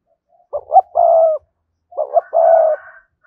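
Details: Two matching spotted dove coo phrases about a second apart, each two short quick notes followed by a longer sustained mellow coo, from a voice prized for luring wild doves.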